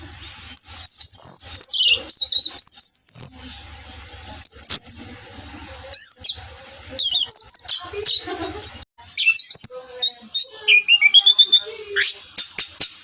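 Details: Orange-headed thrush lure song for stimulating kept birds to sing: varied, rapid high whistles, slurred warbles and sharp chips in bursts, some mimic-like, with a brief cut near the middle and low pulsing hum beneath.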